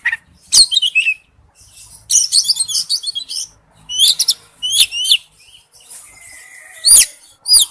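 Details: Male oriental magpie-robin calling to a female: scattered bursts of high, sharp whistled and chattering notes with quick downward slurs, separated by short pauses, ending in two loud clear whistles.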